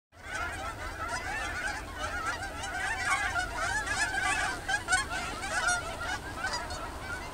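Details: Geese flying off a field in the evening toward Boulder Reservoir, a nightly ritual; loud overlapping nasal honks from many birds, rapid and continuous, with constant low rumble beneath.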